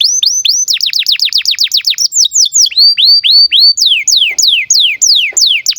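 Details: Canary in breeding condition, singing a lively 'cuit cuit' song used to tutor young canaries; rapid series of high whistled notes sweeping steeply downward, then slower rising-and-falling whistles and long downslurs about twice a second.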